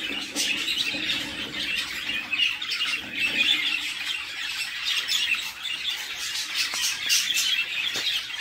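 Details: Budgerigar chicks in a nest box being fed by their mother, giving continuous harsh, raspy squawking chatter that rises and falls in loudness without a break.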